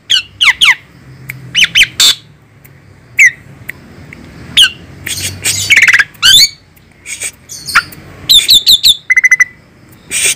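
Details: Asian pied starling, called fierce, in a varied medley of sharp rising and falling whistles, buzzy squawks and quick chattering runs, with a short pure repeated whistle near the end and brief quiet gaps between phrases.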